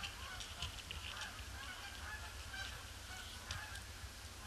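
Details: Large incoming flock of Canada geese circling a pond before landing on a gloomy, grey Boxing Day, 26 December 2015; dense overlapping honks blur into a constant chattering din over a steady low rumble.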